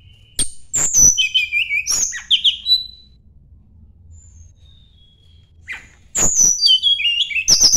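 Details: Sunda blue robin singing toward a rival: two bursts of clicks and high slurred whistles separated by a quiet gap with faint thin notes.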